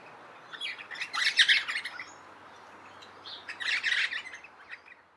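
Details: Crimson (Adelaide) Rosellas chattering in a eucalypt in South Australia in winter, July 2021, while pairs inspect a potential nesting cavity: two rough, rasping bursts of chatter about two seconds apart, otherwise quiet.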